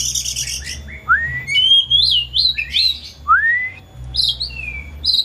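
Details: Caged pet white-rumped shama at home, singing to stimulate a silent shama: opening harsh rattle, then loud rising and looping whistles, swooping upward slides and bright high notes, with a faint low hum beneath.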